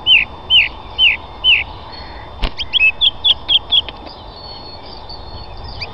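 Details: Song thrush song, linked to a young bird being ringed: a clear downslurred whistled note repeated four times at an even pace, then a faster run of short sharp repeated notes, with a sharp click between phrases.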